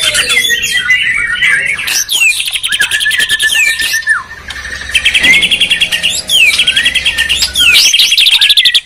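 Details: White-rumped shama duel between Medan and Borneo birds: loud, rich song of whistled notes, rapid buzzy trills and sweeping slurs. Phrases overlap with short pauses between them.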